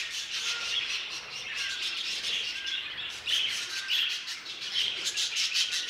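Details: Violet mutation budgerigar, presented as a new colour mutation; dense, continuous warbling chatter with short whistled notes and buzzy chirps, overlapping as if several birds call together.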